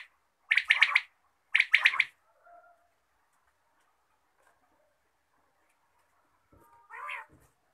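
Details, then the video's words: Quail heard in the morning, giving two loud, rasping, rattled bursts about a second apart, then near silence and one softer harsh note. "batair ki awaz subha"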